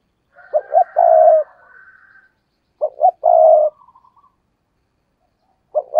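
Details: Spotted dove decoy cooing insistently, "gù" style; phrases of two clipped notes plus a prolonged low coo come roughly every two and a half seconds, with a third phrase beginning at the end.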